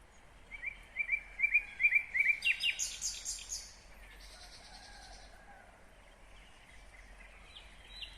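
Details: A nightingale in Kyrgyzstan, 2020, sings about eight evenly spaced, sharp upslurred notes that build in loudness, then a harsh rattling trill. Several quiet seconds follow with only faint background noise.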